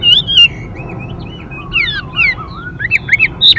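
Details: Male Chinese hwamei with a female, softer warbling: wavering whistled notes that wind up and down at mid pitch, a few sharper high notes near the end.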